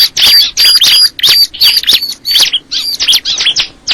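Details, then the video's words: Crystal ciblek bird giving evenly spaced bursts of shrill chirps, roughly one burst each second, each a quick cluster of sweeping high notes topped by a faint thin whistle. "the sound of the crystal ciblek bird"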